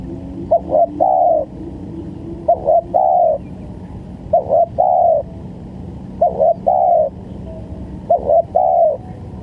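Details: Spotted dove cooing as a trapping lure: five regular phrases of short doubled notes running into a sustained mellow coo, about two seconds apart, over a steady low background hum.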